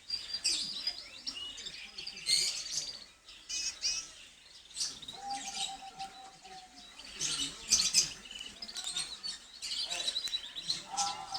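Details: Gloster canary kept in a pet aviary, singing in quick high twittering bursts and trills, with pauses between phrases, a steady lower whistled note now and then, and other chirps in the background.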